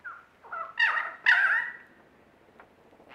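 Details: Lyrebird from Australia performing mimicry: a brief soft whistle, then two loud rich bursts, the second a bright warbled note that fades into a steady tone, then a faint click and a rising note.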